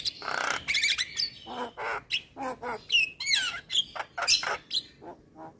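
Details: Javan myna male with white eyes, sung to prompt reluctant mynas to sing; harsh squawks mixed with rising and falling whistled slurs and grating bursts, delivered in rapid, irregular phrases.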